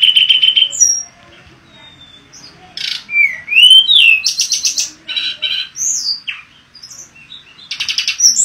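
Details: Lively mangrove blue flycatcher song of varied whistles, sharp upward slurs and short buzzy bursts, broken by a quiet spell in the first seconds.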